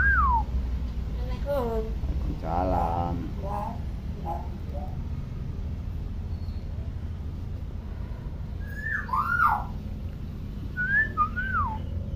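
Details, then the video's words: Tame hill myna, a clever talker copying many sounds, giving scattered clear whistles that slide downward, plus a short buzzy rattled phrase, over steady low background hum and occasional voices. "BURUNG BEO JINAK PINTAR NGOMONG"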